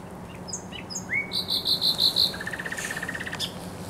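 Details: Singing thrush nightingale on the Żerań Canal, Poland, spring 2022: an upward slurred whistle, six bell-like repeated pulses, then a fast, fading dry rattle.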